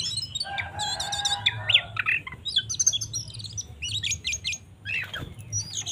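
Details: Oriental magpie-robin in 'gacor tarung ngobra' fighting song, used to rouse other magpie-robins: rapid clusters of high, sharp chattering notes, then a low buzzy passage and bright rising whistles over a steady low hum.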